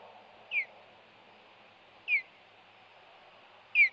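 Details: Osprey alarm calls at the Hellgate nest on 26 April 2018 as the male arrives with a fish to protect the female from an intruder: sharp, downslurred whistled chirps repeated about every one and a half seconds over quiet background.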